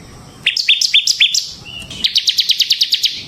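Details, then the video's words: Bar-winged prinia in semi-wild ngebren singing style, used as a lure and tutor for training birds: five sharp upslurred chirps, a brief pause, then a fast run of about a dozen bright, even notes. "suara burung CIBLEK SEMI GACOR Ngebren Ampuh untuk Pancingan Ciblek Kristal dan Masteran Ciblek"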